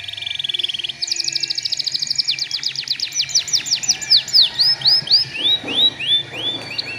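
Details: Canary song used as a lure for young untrained canaries: a steady buzzy trill, a fast trill of even high pulses, then descending slurs and rising whistled arcs repeated about twice a second.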